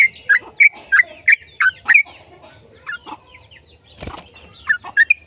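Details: Yellow-vented bulbul song played to draw answers from other bulbuls: a quick run of six loud, liquid, slurred notes, a short lull with softer chirps and a thump, then more bubbling notes.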